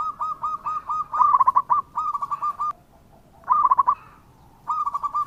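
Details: Local perkutut, the zebra dove, in lively song used to draw replies: a row of soft, even coos building into quick tremulous rolls, a brief quiet gap, then more rippling coos.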